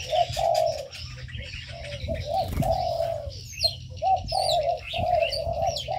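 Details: Ornamental birds kept together in an aviary: low, drawn-out cooing phrases pulse steadily while thin, high twittering chirps flick above them, with a soft room hum beneath.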